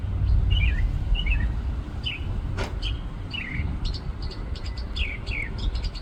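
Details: Perched atop a tree in a parking lot, a bird sings varied phrases: twisting high chirps in pairs, a few sharp clicks, then quick bright notes toward the end, all over constant low background rumble.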